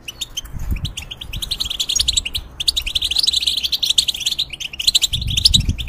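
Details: Caged European goldfinch singing as a model for young goldfinches and hybrids: a steady, hurried twitter of bright chirps and buzzy trills, with a low rumble at the start and end.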